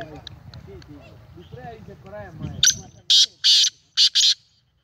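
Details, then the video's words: ['Black francolin recorded 19 April 2020, low human talking at first, then the bird bursts into a loud call of four rasping, grating notes, two paired groups over about a second and a half, before silence.'] "kala teetar Awaz"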